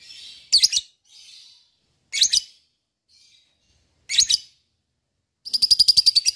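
Lovebird giving harsh, high squawky bursts about every two seconds, ending in a rapid rattling chatter of repeated notes.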